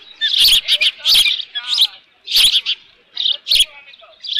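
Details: At Dunrovin Ranch, an osprey on its nest near midday on 13 June 2018, leftover fish in the nest, gives loud, harsh, high chirps in short clusters separated by brief pauses, with faint softer notes between.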